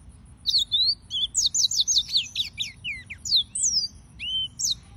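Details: Yellow-fronted canary song from several birds: a fast trill of five or six descending whistled notes flanked by rising and falling slurred phrases, high and sweet, with a soft low background drone.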